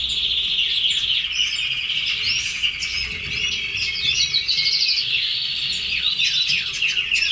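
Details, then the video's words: Caged red canaries singing a dense, fast rolling trill mixed with chirps and sweeping notes, unbroken for the whole stretch. "Canary sings"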